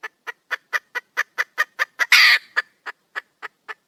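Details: Wild red junglefowl hen calling for a mate, giving steady rapid clucks, roughly four each second, interrupted by one brief noisy squawk before the clucking continues at the same pace.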